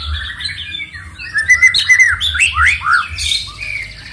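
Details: Loud songbird song used to stir up rivals, a dense jumble of chattering notes, squeaky upslurs and sharp downward whistles, overlapping and varied, with a low background hum throughout.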